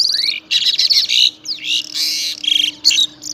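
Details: Pied myna singing in the morning at Saifai, Uttar Pradesh, recorded on a mobile phone. Loud, harsh, buzzy bursts mix with rising whistled notes in rapid, varied phrases, with short gaps between them.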